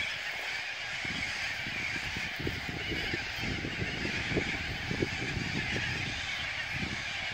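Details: Thousands of corellas roosting for the evening on the Onkaparinga river make a dense, nonstop wall of harsh, rasping screeches. Countless calls overlap with no pauses.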